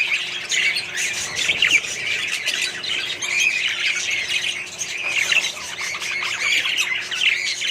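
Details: A colony of Australian budgies kept together with other parrots and birds, giving dense, continuous chattering and squawking from many birds at once, harsh and overlapping throughout.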